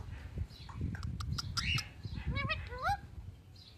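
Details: Pet ringneck parrot chattering, then a rapid run of short wavering whistled notes stepping upward, against faint low background hum.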